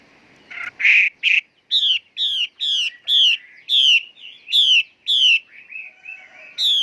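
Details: Female Chinese hwamei singing a run of loud, harsh, buzzy high notes, each about a quarter second long, repeated roughly every 0.7 seconds against a quiet background.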